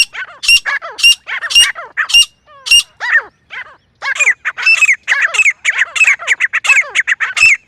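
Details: Grey francolin, a female by the listing, calling in jungle as a hunting sound: loud shrill notes with high piercing overtones repeated roughly twice a second, a brief pause, then a denser overlapping chorus of calls.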